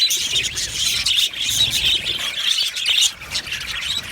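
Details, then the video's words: Aviary budgerigars chirping happily as a colony, heard as a thick chorus of shrill tweets and brief squawks, with a short dip in loudness around three seconds. "Amazing Budgies sounds | Budgies chirping sounds | Happy Budgies sounds"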